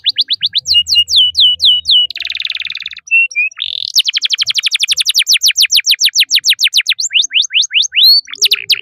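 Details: Canary song with chirps and long rolls, used to tutor young canaries: quick repeated down-slurred whistles, a buzzy burst, then a long fast run of sweeping notes and more whistles.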